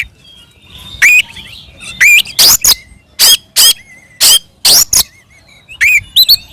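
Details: Fighting song of an Oriental magpie-robin meant to rouse other birds to reply, with sharp rising and falling whistled notes and hard clipped chips spaced about half a second apart, plus faint thin whistles between them.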